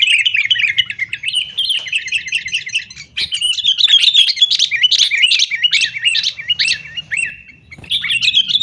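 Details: Sooty-headed bulbul in fighting, noisy chatter used as a lure for caged bulbuls; steady rapid chirping, then a run of repeated rising looped notes mid-way before the chatter resumes.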